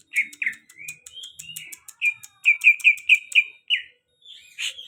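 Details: Song of a very tame greater green leafbird: quick whistled notes slide up and down between clipped high chirps, then quicken into a tight burst of about six repeated slurred whistles. The song ends with a harsher note.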